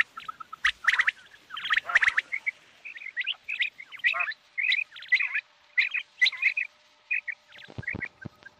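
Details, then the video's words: Common quail calls, bright doubled and tripled notes repeated steadily, mixed with other chirping birds, a few louder harsh bursts early on and faint clicks. "New Common Quail Sound | Batair New Awaz | Batair New Kirak"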